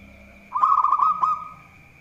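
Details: Single rapid, bubbling trilled phrase from a local zebra dove, lasting about a second, described as a strong singer good at baiting opponents; faint ticking and a steady high whine accompany it.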